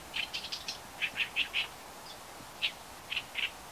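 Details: Oriental reed warbler giving its call notes, short, harsh chack notes in quick runs of three or four, then singly, over a faint steady background hiss.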